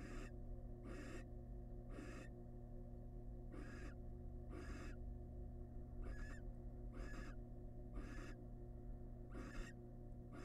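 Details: Wild barn owl family in a nest box while the male delivers a big rat; long series of rasping, hiss-like screeches repeated roughly every second, with a constant low hum from the nest camera underneath.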